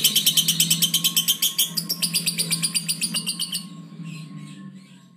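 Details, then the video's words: Lovebird giving a quick series of sharp high chirps about three per second that fade out after three and a half seconds, with a low steady hum beneath. "lovebird gacor bocor"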